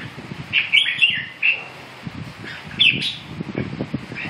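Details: Red-whiskered bulbul uttering a few sharp whistled chirps in two short bursts, over low knocking and rustling noises.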